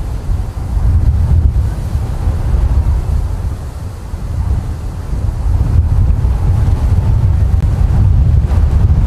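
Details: Heavy low wind rumble buffets the microphone at an osprey nest in Charlo, Montana, late at night on 30 August 2023, with no animal call heard.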